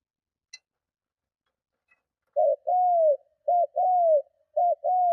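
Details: Spotted dove giving strong cooing meant to lure and provoke other doves: after two faint ticks, a short clipped coo followed by a longer, smoothly falling coo, the pair repeated about three times in a quiet setting.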